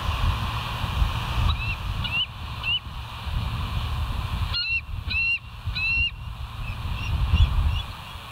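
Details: Bald eagles at the West End nest, recorded by a live nature cam on 13 September 2023 at 04:29. A series of short, high, upslurred chirping notes comes in loose groups over steady low rumbling background noise.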